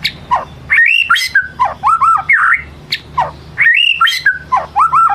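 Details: White-rumped shama singing in the 'ngelemak' style, used as a lure to draw out another shama's full repertoire: rich whistled and slurred phrases sweeping up and down, mixed with sharp clicks, the same sequence heard twice over a steady low hum.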